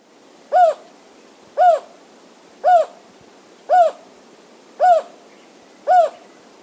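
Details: Endangered Jocotoco antpitta at Tapichalaca Reserve on the east Andean slope of Ecuador gives six hollow, owl-like hoots, each briefly rising then falling, about a second apart against a quiet background.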